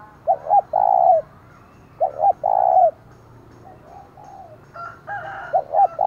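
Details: Decoy spotted dove's loud provoking call, used to draw out wild rivals: two coo phrases about 1.5 seconds apart, each two quick notes then a drawn-out coo. A third phrase begins at the end, with brief higher bird notes near it.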